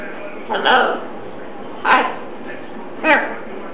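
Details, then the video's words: Pet Catablue macaw talking while watching TV indoors: three short, harsh, voice-like bursts spaced about a second apart over a steady background hiss. "Catablue Macaw talking up a storm while watching tv."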